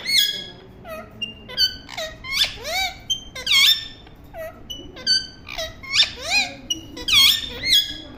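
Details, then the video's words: Parrot giving a busy series of chirps and squeaks indoors, harmonic notes sweeping up and down in pitch, many short bursts in irregular rhythm about every half second. "Parrot Chirping Sound"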